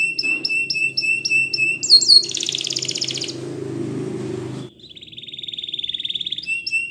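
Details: Belgian canary singing: a run of repeated slurred whistled notes about four per second, then a loud buzzy rolling trill, a pause, and a steady lower rattling roll ending in clipped whistles; faint low hum behind.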